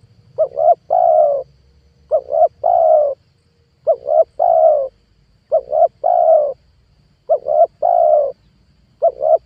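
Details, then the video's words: Spotted dove calling as a lure for trapping wild doves: about six rhythmic phrases of two short coos and one long coo, evenly repeated roughly every 1.6 seconds, with faint low rumble early on. "PANGGILAN TUKUKUR PIKAT 2022 COCOK BUAT PANCINGAN TEKUKUR LIAR"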